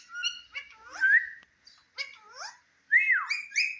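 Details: Indian ringneck parakeet talking in front of a mirror, giving a chain of slurred whistled and buzzy speech-like syllables, some sliding downward, with short pauses between phrases.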